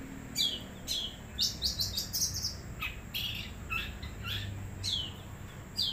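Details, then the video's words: Long-tailed shrike in the wild, singing a varied run of sharp chirps, quick clustered notes and downward-slurring whistles, busier in the middle then sparser, over a constant high-pitched hiss and faint low rumble. "Cendet Liiaar ..BERNYAYI.."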